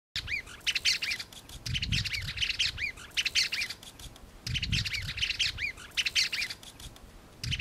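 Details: A single greater wagtail-tyrant calling in Barrio Los Nogales, Merlo, San Luis, in November 2013, giving bright, rapid bursts of arched chirping notes in lively chattering phrases, with low rumbling wind noise underneath.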